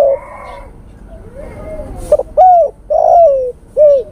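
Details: Male spotted dove calling a female, used as a lure call: soft low coos, then a clipped hiccup note and a run of three mellow, rising-then-falling coos, the middle one drawn out and hoarse.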